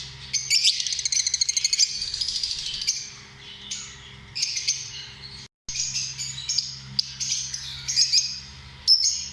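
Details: Lovebirds, small social parrots, with fast rattling series of clicks leading into shrill, squeaky chattering phrases and thin whistles, broken by a short silent gap; a low hum continues underneath.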